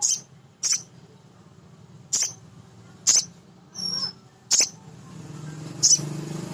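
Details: Sharp, high chips from a male sogon sunbird, played to make other sogon birds excited and vocal, spaced irregularly about a second apart, with a brief thin whistle between and background hum.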